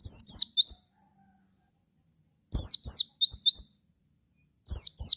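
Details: Javan white-eye lure song, meant to make other white-eyes answer and sing: high, thin chirps sweeping down then up, in bursts of two to four quick notes separated by pauses of over a second, each note with a faint low thump.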